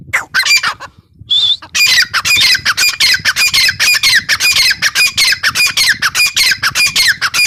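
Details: Grey francolin (teetar), possibly a female, giving a loud, harsh, rapidly repeated squawking series, broken briefly by one clear whistled note.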